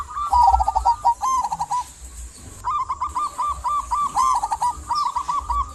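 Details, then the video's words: Local zebra dove singing to coax silent doves: several rapid staccato cooing phrases, each ending in a drawn-out note, separated by short pauses, with faint chirps behind. "Perkutut lokal gacor buat pancingan perkutut pendiam agar bunyi"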